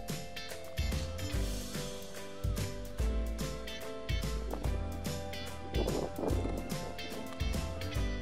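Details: Rhythmic instrumental music with a deep bass beat and sustained tones plays throughout; no animal voice stands out.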